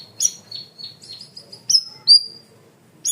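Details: Cream-vented bulbul singing loudly for a bird-training recording: a bright high note, a string of softer chirps, then strong sliding whistles with held tails.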